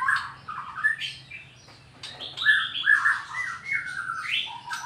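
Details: Bornean (Sarawak) white-rumped shama, challenging a rival to fight, pours out rapid, varied whistled phrases mixed with harsh squawky notes, shifting in pitch from phrase to phrase over a faint low hum.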